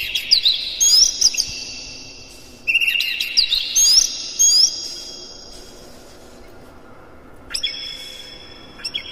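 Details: Morning song of a captive-style Oriental magpie-robin, used as lure material to spur other birds to sing: rapid whistled notes and slurred sweeps in two dense bursts, then a quiet spell and sparse clear whistles near the end.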